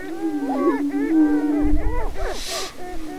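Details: Greater prairie-chicken mating dance on a Minnesota lek near Crookston, April 2013: a sustained low moaning tone with bending hoots layered above, then a burst of quicker chattering calls and a brief rustle.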